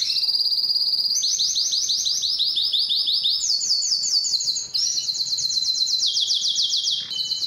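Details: Training song of a Belgian or Spanish timbrado canary: continuous high rolling trills made of quick swept notes, changing pitch in distinct steps roughly every one to two seconds.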